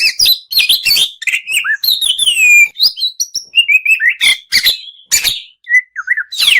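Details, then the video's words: Kacer, the Oriental magpie-robin, in a masteran tutor recording of full fill-ins and shots. The song is a dense run of sharp chips, slurred whistles and varied warbles, with brief gaps. "Masteran Mewah Burung Kacer Full Isian Dan Tembakan"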